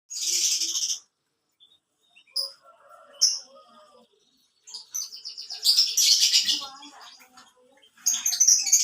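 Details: Canary singing in bursts of very high, rapid rolling trills separated by silent gaps, with a few softer scattered notes in between.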